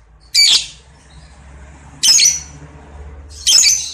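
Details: Lovebird on a clean lure recording, uttering three harsh, noisy squawks at uneven intervals against a quiet background.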